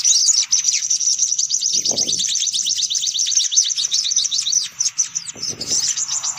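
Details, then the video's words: Sunbird lure call: a steady stream of thin, high, rapidly repeated down-slurred chips forming a noisy chatter, with short low knocks in the background. "Suara Pikat Burung Kolibri Paling Manjur || Sogok Ontong Ribut"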